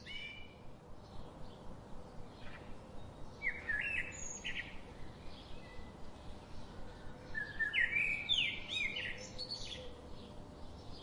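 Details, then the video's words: Common nightingale singing in the morning: two bursts of varied, rich whistled phrases with sharp rising and falling notes, separated by pauses, over a steady broadband hiss of background noise. "The sound of the nightingale bird sounds louder in the morning"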